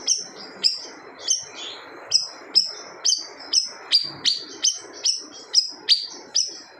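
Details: High, sharp whistled notes, about two per second, from a gacor siri-siri bird whose fierce song is said to silence other birds. A steady low rushing noise runs underneath.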